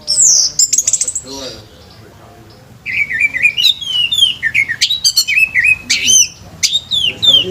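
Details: Scarlet myzomela in full song: rapid, high, sweet whistled phrases with quick up-and-down slurs and sharp chips, a brief pause after the opening burst, then a long busy run of varied notes.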